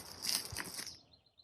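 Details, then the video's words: A Chestnut-sided Warbler sings in the background in early successional habitat in Vermont in July 2020, a quick run of thin, high notes rendered "pleased, pleased, pleased to meet ya", against a soft outdoor background. "One bird that's singing in the background is a favorite of mine because every time you walk into this habitat, he greets you, and that is the chestnut-sided warbler."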